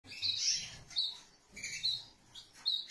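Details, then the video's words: Canaries, a pair with a chick in a family group: high chirping notes in short bursts, bright twittering calls around half-second phrases separated by brief pauses, with soft rustling between them. "Happy Canary family | Canary pair with chick"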